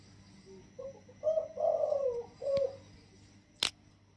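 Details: Spotted dove, wild bird caged for 16 days, with a gentle voice crowing in the single-kuk throw style: short lead-in notes, a long falling coo, then one closing coo, followed by a sharp click.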